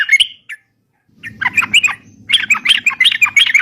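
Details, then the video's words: Sooty-headed bulbul chatter from a lure recording: a few isolated chirps, a pause, then a fast tumbling run of slurred, scratchy notes over a soft murmur. "suara crucukan gacor bisa buat pikat"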